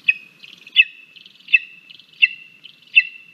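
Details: Lesser spotted eagle chick at the nest in Latvia on 17 August 2022, crabby at breakfast time as its mother brings two frogs and a vole; loud sharp whistled squeals with a descending tail, repeated about every 0.7 seconds, softer chatter between.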